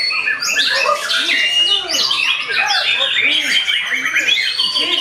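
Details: Rival encounter as a white-rumped shama starts fighting back, pouring out high, bright whistles and quick chattering trills without pause, over a series of softer low arched notes.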